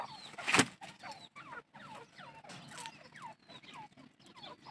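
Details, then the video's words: Grey francolin calling; a run of short, ringing notes that swoop downward and then rise again, repeated quickly several times a second, with a loud sharp knock early on and brief silent gaps. "desi teetar"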